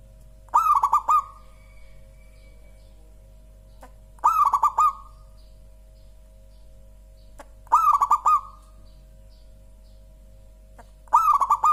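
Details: Perkutut lokal, a local zebra dove, sings four regularly spaced phrases about every three and a half seconds; each is a mellow burst of rapid beating coos followed by a lingering note, over a low continuous drone.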